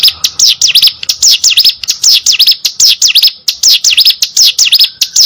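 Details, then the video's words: Energetic hill prinia song of piercing high notes that dip and rise, repeated rapidly and steadily throughout, with a few clicky chips between bursts. "burung ciblek gunung gacor"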